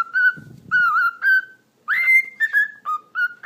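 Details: Whistled phrases from a domestic cockatiel that also talks: level, slightly wavering notes, then a strong rising sweep into a held tone and a run of short stepped notes. A soft low rumble sounds near the start.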